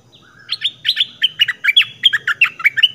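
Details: Red-whiskered bulbul, southern Thai type, played as a lure; a lively run of about fourteen clipped chirps in quick succession, bouncing between higher and lower notes, with faint low hum behind.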